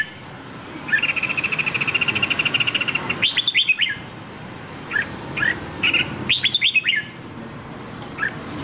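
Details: Red-whiskered bulbul singing Nam Đông style song, a training voice for white-cheeked bulbuls: a fast even chattering trill, then clear bright phrases of falling whistled notes, repeated twice with scattered single chirps between.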